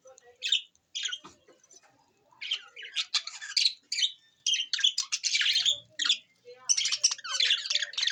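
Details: Budgerigars, Australian parrots, give a busy stream of short, scratchy squawks and chirps, bursts overlapping in quick irregular succession with brief pauses between runs of chatter.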